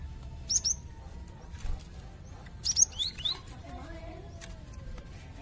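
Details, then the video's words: Cinereous tit, a melodious songbird kept by songbird hobbyists as a tutor bird: two brief bursts of very high, thin chirping notes about two seconds apart over a steady low hum and faint background noise. "#suaraburungglatik burung glatik"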